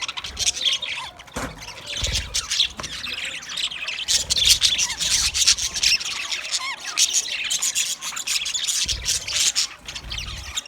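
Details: Green budgerigars in a continuous flock chatter, dense scratchy warbles and squawks running without pause, with occasional low bumps and rustles underneath.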